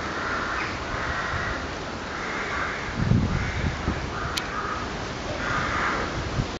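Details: Eerie nocturnal cawing of crows: drawn-out, harsh caws repeated at roughly one-second intervals, with a brief low rumble and a sharp click partway through under continuous background noise.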